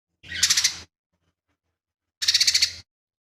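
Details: Lesser green leafbird, a chatty songbird with mimicked phrases, used as a training master; two loud, harsh, pulsed bursts about two seconds apart.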